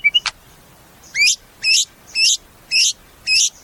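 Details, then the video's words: Song of a caged white-rumped shama: a few quick chips, then five sharp, hooked whistled notes repeated roughly every half second. "Suara Murai"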